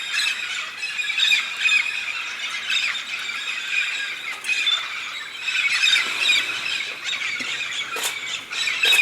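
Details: Red-spectacled parrots, a southern Brazilian species that migrates each year in big flocks to the Santa Catarina highlands to feed on pinhão; a continuous wall of shrill, grating squawks from many birds, with sharp clicks near the end.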